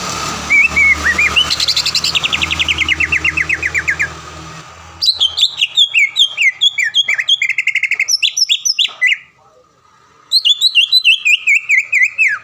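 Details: Caged greater green leafbird, a frequent contest winner around Palembang, in a training recording. Opens with a fast buzzy trill, then varied bright whistles and slurred notes, a short silence, and a final quick descending chatter.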